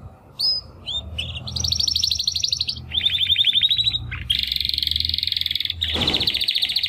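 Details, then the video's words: Timbrado canary brothers born in the second 2020 breeding try singing after their first molt: short whistles, then long buzzy rolling trills at several pitches over a faint low hum. "Two Canaries Brothers - Canary training song"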